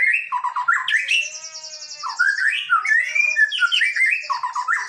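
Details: Hobby-kept male white-rumped shama in Indonesia, singing richly with quick stuttered notes, a sustained harmonic whistle, then looping upward and downward slurred whistles mixed with high buzzy rattles, nonstop.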